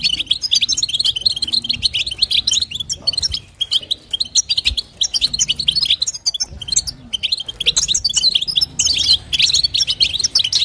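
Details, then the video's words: A female European goldfinch calls to stimulate the male with 'batbata' and 'sitsita' twittering: rapid, high, jingling notes in long runs, with a few brief lulls and a fuller burst toward the end. "نداء انثى الحسون لتحفيز طائر الحسون | بتبتة وستسته جديده"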